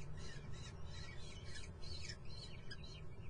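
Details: Common kestrel chicks in the nest at Muttenz produce loud, grating squeals, a few longer drawn-out cries bending downward near the end, set against a steady low rumble.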